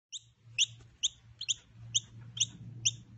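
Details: Hand-raised noisy miner chicks being taught to feed themselves give sharp, high, downslurred chirps, about seven in three seconds, over a steady low electrical hum.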